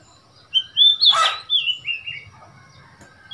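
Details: Oriental magpie-robin in Thailand, a wild bird that came to a cage, 15 February 2021: loud clear whistled phrases, one rising then a stepped falling series, broken by a brief rough burst, with a low hum behind.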